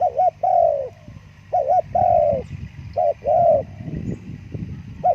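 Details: Spotted dove phrases of a brisk double coo then a long, sliding, downward coo, repeated three times, with some low clattering noise between phrases.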